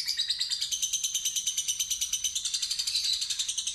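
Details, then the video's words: Novice fighter lovebird singing a ngekek trill after a lure recording. The fast, high, evenly spaced chattering pulses carry a thin whistled tone running through them. "Pancingan Lovebird Fighter Ngetik Ngekek Terpanjang"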